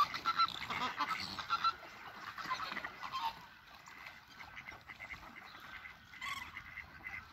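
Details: Flock of Chilean flamingos calling during courtship display at WWT Slimbridge, March 2020: loud goose-like honks in quick irregular bursts, strongest early on, then a softer continuous babble of many birds.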